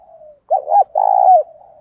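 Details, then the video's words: Loud-voiced spotted dove kept as a decoy, cooing to lure and provoke a rival. A faint low hum comes first, then a pair of quick hoots and a long, even coo that falls away at the close. Almost no other noise is heard. "Chim Cu Mồi thúc đấu giọng to + rõ rất ít tạp âm bổi nghe úc chế gáy theo"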